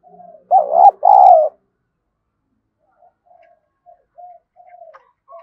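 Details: Decoy spotted dove whose voice lures wild doves, in the thổ voice style: soft low coos, then a loud two-part coo with a short first note and a longer wavering second note, followed by faint quiet cooing.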